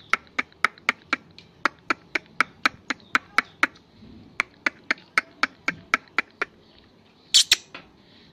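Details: Angry black francolin, a Pakistani Kohati black partridge of the local Hanguwal desi kala teetar type, giving a long run of sharp, clicking notes about four per second, briefly broken, then a louder harsh burst near the end.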